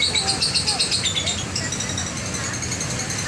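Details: Lovebird ngekek, a long chattering call used to prompt other lovebirds to chatter: shrill rapid pulsed trills strongest in the first second and a half, then thinning into a softer, hissy chatter.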